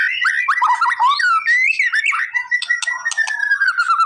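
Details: White-rumped shama song used to provoke a response from a bird that is reluctant to sing: dense, unbroken warbling of fluty whistles over a steady tone, with quick chattering notes and sharp clicks toward the end.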